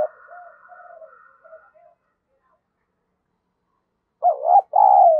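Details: Spotted dove kept as a decoy and cooing to provoke rivals. Soft, breathy low murmurs come first, then a long pause, then two loud, wavering coo notes close together.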